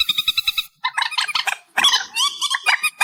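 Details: Reed warbler song boosted in volume: a buzzy pulsed rattle, a brief silence, then harsh jumbled chattering and rasping notes.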